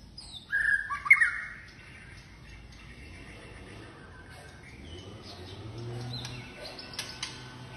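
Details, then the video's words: A White-rumped shama in display gives one loud, rich burst of squawky and whistled notes lasting under a second, followed by only faint, scattered chirps in near quiet. "MURAI BATU GACOR White-rumped shama Display kích chòe lửa hót nhiều giọng"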